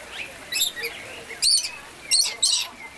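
Red lories give harsh, grating screeches in short bursts about every half second to second, mixed with thinner, higher chirps.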